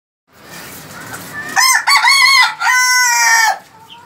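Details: Desi rooster crowing: a loud harmonic crow in several connected segments, each broken briefly, rising then holding a strong tone before dropping off, preceded by a soft background murmur.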